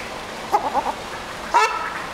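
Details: Ruddy shelducks in conversation, giving short nasal honking notes: a quick series of three or four clipped calls, then a pause and a louder single honk.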